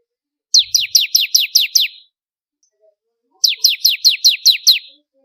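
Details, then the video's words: Bar-winged prinia singing actively, used as a tutor recording for contest birds: two bursts of about seven sharp, high, quickly repeated downslurred notes, each burst lasting about one and a half seconds, separated by a short silence, with no other sounds. "Ciblek Kristal Gacor//Masteran Burung Kontes"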